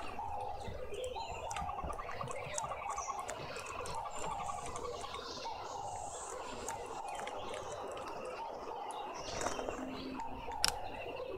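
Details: A juvenile green woodhoopoe, newly independent, in a suburban garden in Pretoria, South Africa, gives rapid, chattering runs of harsh notes in uneven bursts over a busy background of other birdsong and faint rustling.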